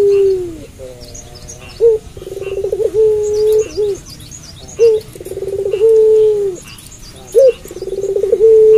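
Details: Puter pelung dove calling busily at night. A repeated phrase of a sliding low coo, a short upturned note and a rapid rolling trill ends in a long level coo, about three cycles.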